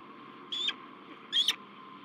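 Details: Peregrine falcon at a La Crescent, USA nest site, 16 March 2023, during a male's meeting with a new female: two short, sharp, harmonic notes about a second apart against a steady low hum.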